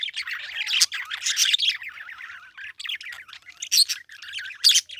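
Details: Chirping parakeet, irregular bursts of high scratchy twitters and short squawks, some louder sharp peaks near the end.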